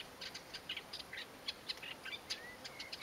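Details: Masked shrike at the Tsiknias river on 1 May 2015, giving rapid scratchy high notes repeated several times a second, with a few thin rising whistles near the end over faint background hiss.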